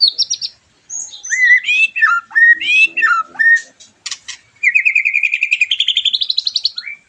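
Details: White-rumped shama singing, used to excite a post-moult bird: rich, varied whistled phrases, then a fast, even trill of about twenty repeated notes that steps up in pitch and ends with a short slurred note.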